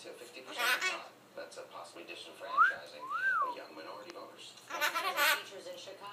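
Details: A pet Hahn's macaw (red-shouldered macaw, Diopsittaca nobilis) mimicking a laugh: harsh, raspy laugh-like bursts at the start and end, with two rising-and-falling whistles between, while a person speaks softly in the background.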